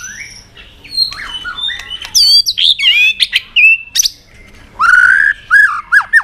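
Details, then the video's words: White-rumped shama provoked to fighting song, mixing high buzzy notes and sharp clicks with wavering whistles, ending in a series of lower, fluty downslurred phrases. "Chòe Lửa Đánh Đuôi Sàn Cầu Kích Lửa Hót Căng. luyện Chòe lửa hót đấu."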